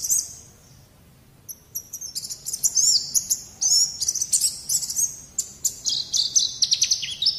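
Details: High white-eye song on a training recording for young birds. It opens quietly, then bursts into dense, buzzy twittering with quick slurred whistles that carry to the end.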